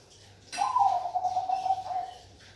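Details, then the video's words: Perkutut Bangkok, a zebra dove, delivering one clear cooing phrase lasting nearly two seconds. It begins with an abrupt rising note, then a rapid vibrating trill that slowly falls and fades, with a low constant hum in the background. "Suara Burung perkutut Bangkok"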